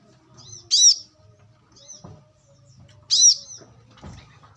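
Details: Natural wild brown-throated sunbird voice, intended as a lure and training tutor: two bright, high, emphatic chirps roughly two and a half seconds apart, with soft short twitters and faint low rustling between them.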